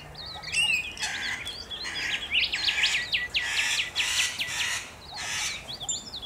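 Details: A loud tangle of rainbow lorikeet calls from Australia: harsh, shrill screeches and quick rising-falling squeaks pile over one another almost continuously, with a brief lull before the chatter resumes.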